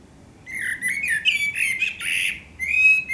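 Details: Close, loud Eurasian blackbird (Turdus merula) song at sunset in Akersloot, Holland, 30 March 2018: a continuous rich warble with fluted notes and scratchy overtones, a short break, then more whistling.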